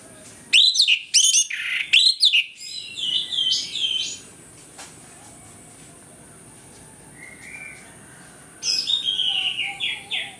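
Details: Orange-headed thrush singing in the morning in the loud ngeplong style, used as a lure to make other thrushes aggressive; a burst of sharp, high whistled phrases, then softer warbling, a long quiet gap, and a final run of bright notes.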